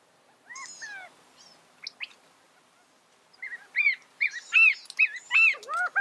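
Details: After a few faint opening notes and a quiet gap, a California quail breaks into a lively series of loud curved call notes, some overlapping, with high chirps above them.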